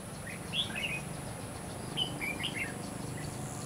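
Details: Red-whiskered bulbul during a bird-trapping session on 21 May 2016, with decoy birds used to lure wild ones; two short bursts of bright, warbled chirping notes about a second and a half apart, over a steady low hum and background noise.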